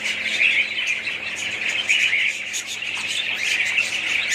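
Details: Many budgerigars in a colony give raspy squawks and bright chirps over a continuous warbling background chatter.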